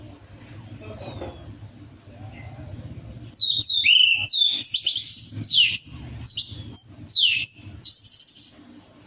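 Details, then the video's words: Orange-headed thrush song played to lure a reluctant bird into song: a long sweeping whistle, then a fast run of high slurred, downward-curving notes in quick succession. "DENGAN PANCINGAN ANIS MERAH AMPUH INI, ATASI SUSAH BUNYI ANIS MERAH"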